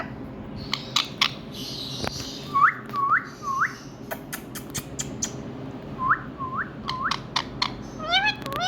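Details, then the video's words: A pet Indian ringneck parrot gives short, clear whistles that sweep upward, in two runs of three quick notes. Sharp clicks and taps sound throughout. "Parrot Calling"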